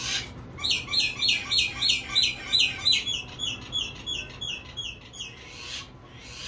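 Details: A fairywren in Sydney, Australia gives a rapid string of high, sweet, slightly down-slurred chirps, about three a second for five seconds, over a faint low hum.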